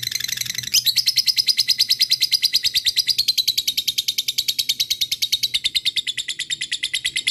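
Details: Lovebird used as a lure to call rival birds, singing the long ngekek style: a sustained, rapid, high chattering trill of buzzy repeated notes running unbroken for several seconds after a short opening chatter.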